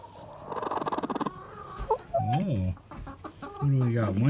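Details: Domestic hen, upset while her morning eggs are collected from the nesting box, letting out harsh rising-and-falling squawks in short bursts, mixed with a person talking nearby.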